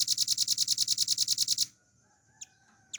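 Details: Cage-kept velvet-fronted nuthatch delivering its ngebren rattle for a tutoring recording: a rapid series of about fifteen shrill, evenly spaced notes, then silence broken by two short high chips.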